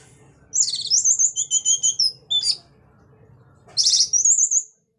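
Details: Orange-headed thrush in lively ngeplong song, used as a lure to get other thrushes singing. High whistled phrases break into rapid trilled pulses, then a short pause comes before another bright trilling burst.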